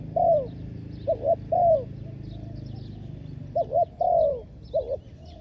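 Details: Spotted dove used as a ground-level decoy to lure wild doves: soft doubled coos, each followed by a longer falling, slurred coo, in uneven phrases with pauses. Faint chirps from other small birds behind.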